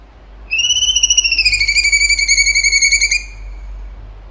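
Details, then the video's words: Cucak cungkok in lively tembakan song: a single long whistled phrase with a rapid tremolo, gliding slowly downward over about two and a half seconds. "CUNGKO GACOR TEMBAKAN HOT SUPER TEJEM"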